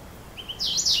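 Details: Goldfinch giving a brief high call: two thin soft notes followed by a louder, rising, slightly buzzy phrase, under a second long.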